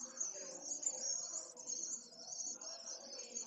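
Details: Pale swift filmed by camera, 16 June 2022, giving a continuous high, harsh, buzzy screaming that barely pauses, pulsing slightly in loudness, over a soft lower murmur.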